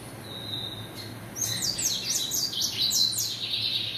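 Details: A captive-bred male double-collared seedeater sings a fast, high, twittering phrase of sweeping slurred notes, preceded by a thin sustained whistle.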